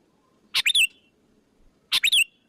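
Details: Sooty-headed bulbul lure call meant to draw other bulbuls in: two short, sharp chirped phrases about 1.4 seconds apart, each a quick burst ending in a clear downward-sliding whistle, over quiet background.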